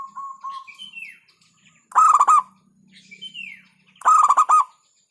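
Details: Two emphatic 'hentakan' phrases of rolling coos from a local zebra dove, about two seconds apart. Softer coos open the recording, with descending whistles and a low hum between the bursts.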